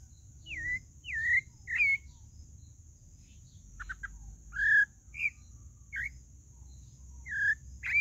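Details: Pale-breasted thrush song: clear whistled phrases around mid-high pitch, slurred notes rising and falling, delivered in short bursts separated by pauses, with a faint steady high hiss throughout.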